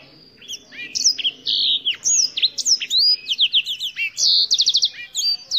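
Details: Black-throated canary, a finch of African origin, singing a fast, varied run of high whistled notes, upslurs and downslurs, ending in a quick buzzy trill of repeated notes.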